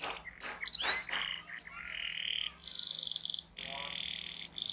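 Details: Canary song used to train young canaries to sing: sharp chirps and rapid trilled rolls, then long sustained buzzy trills on steady pitches switching abruptly between high and lower tones.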